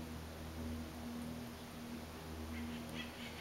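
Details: Male Sooty Grouse booming in a Douglas-fir, southern Mendocino County, California: deep, soft, hollow "whoof" hoots, low and drawn out, with faint higher bird notes near the end.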